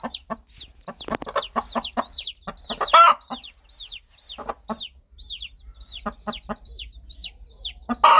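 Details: Mother hen calling her chicks toward food and safety; soft low clucks in uneven runs with a harsh louder squawk near the middle, constant high falling cheeps from many chicks.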